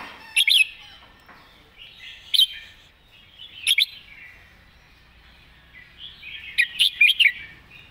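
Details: Caged red-whiskered bulbul repeating its main song pattern with clear phrasing: short, loud, liquid warbled phrases come about every one to two seconds, the last one longer at five notes, over a quiet background.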